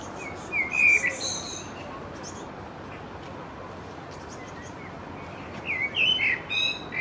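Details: Young great tit begging for food while a parent brings it a pine nut; short, high, thin chirps in two clusters, one near the start and one near the end, over a steady background hiss.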